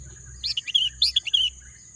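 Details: Birds chirping in lush green countryside, a quick cluster of high, bright tweets and short slurred notes over a faint low rumble.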